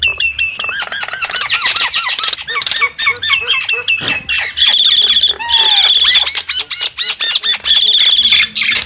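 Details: Nias hill myna making rapid, chattering bubbly notes, then long, steady, shrill trilled whistles that repeat, broken by brief rasping squawks.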